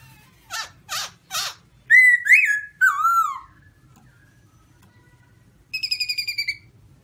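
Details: Black-throated laughingthrush with white cheeks singing: three harsh, scratchy notes, then loud wavering whistles, a pause, and a fast buzzy trill to finish.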